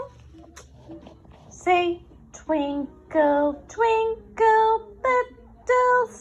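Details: A male pet Indian ringneck parakeet (rose-ringed) talks in a high, childlike voice, stringing about six clear syllables over a few seconds in a quiet room. It is praised as a good boy and says "I'm being a very good boy".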